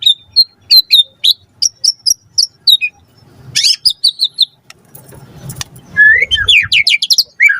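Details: White-rumped shama lure song meant to draw a quick answer: a string of short high sharp notes repeated about every half second, a dense burst, then rising slurred whistles.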